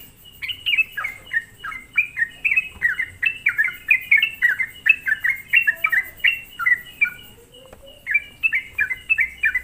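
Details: Busy, vigorous sooty-headed bulbul singing used as a lure for other bulbuls, a near-continuous stream of short warbled notes, roughly three a second, with one brief lull before the last stretch.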